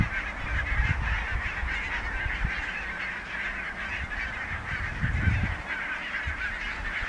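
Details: Flock of barnacle geese calling together at Niittylahti bay, Savonlinna, in early October 2017; countless short yapping honks merge into a steady chatter, while gusts of low wind noise swell now and then.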